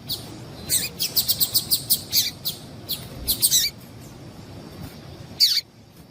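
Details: Female double-collared seedeater call, used to stir males into singing: a run of short, sharp, high chirps in quick irregular bursts over the first four seconds, then one louder descending chirp near the end, with a faint low background hum.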